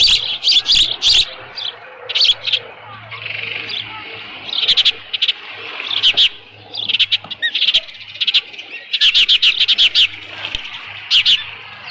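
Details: Osprey calling at a ranch nest on 13 June 2018 near 11:37 am, leftover fish present; clusters of sharp high chirps come in irregular bursts over a low steady hum.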